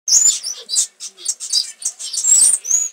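Long-tailed paradise whydah giving a quick run of high, thin chirps and sharp whistled notes, about three or four a second, with no other sounds.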